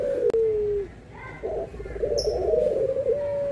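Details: Dove giving a cooing call, part of a comparison of white and brown doves: a brief steady tone, then a pause, then a longer warbling coo held at one low pitch. Faint background hiss.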